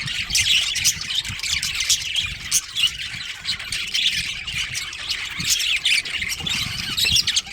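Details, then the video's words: Many budgerigars in a breeding colony squawk and chirp together in a busy, scratchy high chorus, punctuated by sharper loud calls and soft low knocks. "Cute Budgies Chirping Sounds"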